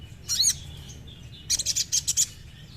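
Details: Short sogon song to get a captive bird singing: one quick, high, sweeping chirp, a pause, then a cluster of rapid, sharp, very high chips.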